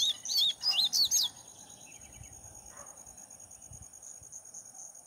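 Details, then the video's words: Double-collared seedeater singing vigorously while held on a person's hand: a brief burst of high, quick, twisting whistled notes in the first second, then a faint steady high whine and quiet background. "papa capim cantando muito na mão"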